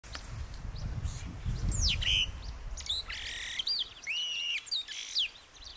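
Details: Yellow-rumped marshbird (Pseudoleistes guirahuro) song: a run of bright, ringing whistles and slurred notes, some rising, some falling, with a low rumble of wind or traffic early on.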